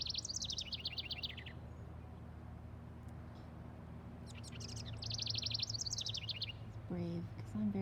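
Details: Garden house wren nesting in a birdhouse sings two bubbly, rapid songs, each a tumbling series of high falling notes about four seconds apart, scolding a person who came too close. A person speaks briefly at the end over a low hum.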